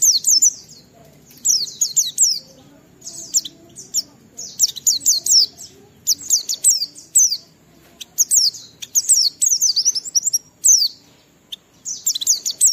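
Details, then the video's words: Oriental white-eye delivering a long bout of vigorous ngalas-style song, a lure for other white-eyes: repeated bursts of piercing, fast, downslurred chirps and trills, each lasting about a second, with short pauses between. "Burung Pleci Gacor suara Jernih memancing Semua Pleci langsung ngalas"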